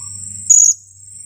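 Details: Blue-crowned hanging parrot youngster, two weeks old, used as a decoy: a single loud, thin, piercing kiak of about a fifth of a second. A steady insect hum sits behind it.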